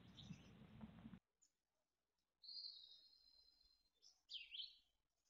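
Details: Mountain chickadee nestlings in a Truckee nest in June 2020, in their final moments before fledging: rough noise at first, then a long, thin, high whistled note and a sharply down-slurred call.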